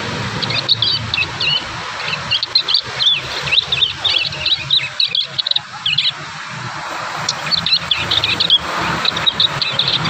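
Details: Prinia fledglings practising song produce a long, fast series of high chirps and squeaky twitters in uneven bursts, with steady low background noise.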